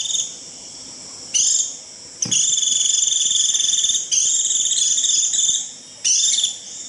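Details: Shrill 'rít' flock-gathering call of a white-eye: a sustained, high, rapidly trilled buzz repeated in bursts of about half a second to two seconds, with brief gaps between them.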